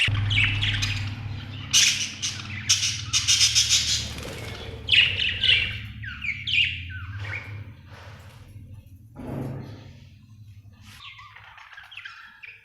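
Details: Budgerigar chirping: dense bursts of scratchy, squawky chatter and quick warbled notes crowd the first half, then thin to a few sparse, softer chirps, with a steady low hum running underneath throughout.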